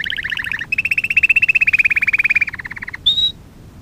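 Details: Canary singing on a tutoring record for young canaries: a short double-noted rattle, then a long fast even trill, a lower rolling phrase, and a final clear whistled note.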